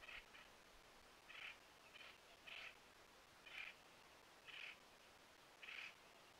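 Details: A male Ladder-backed Woodpecker foraging at a feeder in West Texas on 9 December 2022 gives short, sharp pik notes at uneven intervals, roughly one a second, faint over a steady background hiss.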